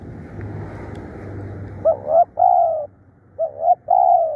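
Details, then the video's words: Spotted dove used as a decoy caller, described as fierce and persistent. After low rumbling background noise come two short bursts of steady mid-pitched coos, each a quick opening note followed by a longer, slightly falling coo. "เสียงต่อนกเขาใหญ่ ดุดัน ขยันเรียก"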